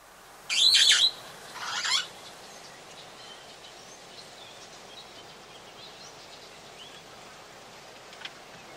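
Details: Long-tailed glossy starling calling at Oyster Creek on the Coast Road, The Gambia: two loud, harsh, broadband squawks close together in the first two seconds, then faint distant chirps over a steady hiss.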